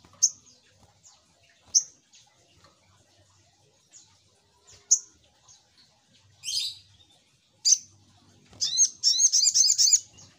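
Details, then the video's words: Little spiderhunter lure sound: spaced single high chirps every second or two, a harsh buzzy note, then a fast run of sharp down-slurred chirps at the end. "Suara Pancingan Burung SogokOntong"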